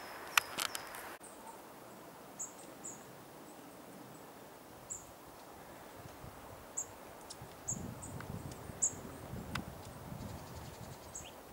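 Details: Goldcrest at Dwingelderveld, Dwingeloo, in the Netherlands, recorded 10 January 2016. Very high, thin, short call notes, some paired, scattered across the recording over soft rustling and low background rumble, with a few sharp knocks near the start.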